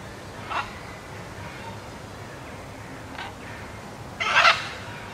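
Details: At Wuppertal Zoo, a blue-and-yellow macaw (Ara ararauna) housed with an Ara hybrid gives three harsh, raspy squawks a second or two apart, the last longest and loudest, over a steady background hum.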